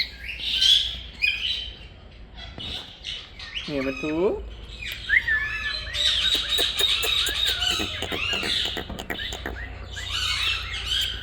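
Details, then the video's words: Green pet Indian ringneck parakeet talking, with voice-like chattering phrases mixed with sharp squawks and a few clipped, rapid clicking notes, delivered in an irregular, continuous stream. "My Parrot Green Talking"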